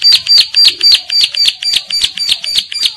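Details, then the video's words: Female bar-winged prinia, called ciblek sawah, in breeding condition, calling to other females that answer: loud, sharp high notes repeated steadily about four times a second in an unbroken, insistent series. "CIBLEK SAWAH BIRAHI GACOR MEMANGGIL BETINA YANG LAIN IKUT NYAUT"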